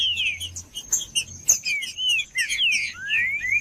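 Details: Green-winged saltator song used to get a silent captive bird singing: clear slurred whistles, mostly downslurred, about two notes per second, mixed with a steady high tone and soft low hum.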